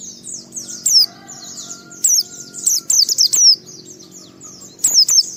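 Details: White-eye in 'ngalas' song, played to coax other white-eyes into singing: rolling high-pitched falling twitters with frequent louder sharp phrases, a faint steady lower whistle from another sound in the background.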